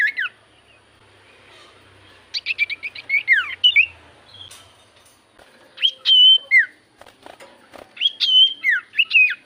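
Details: Lively Javan white-eye singing, used as a lure to prompt other birds to reply: bursts of rapid high chirps and slurred whistles, quick downward sweeps, short pauses between phrases, and faint clicks in the background.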